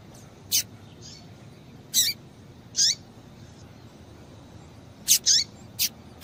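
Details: Double-collared seedeater female calling to stimulate a male: about eight sharp, high chirps, some with short downward hooks, irregularly spaced and paired near the end, above faint hiss.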